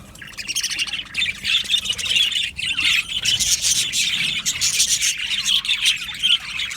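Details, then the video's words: Budgie colony in an aviary starting softly, then swelling into busy chatter of high warbled chirps and squeaks from many birds. "Budgies birds chirping sounds"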